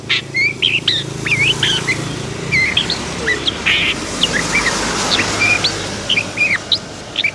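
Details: Long-tailed shrike, described as agitated, singing a run of short slurred whistles and chirps, some rising and some falling, with a few harsh notes, over a steady low hum.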